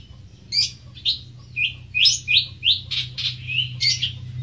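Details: Greater green leafbird uttering loud, separate high chirps, each a sharp downward slur, spaced roughly a third of a second apart over four seconds.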